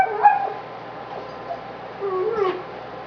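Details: Crabby male pet parrot complaining loudly while struggling to chew a tough bully stick, one hot, humid evening in September 2011: wavering, whining mid-pitched calls with a sharp crack of chewing near the end.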